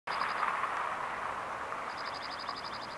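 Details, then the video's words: Male Dark-eyed Junco perched atop a tree beside a walking path in Alaska sings a fast, even trill of high notes, about ten per second, over a steady rushing roar like wind or distant traffic. "Junco Male Bird Singing"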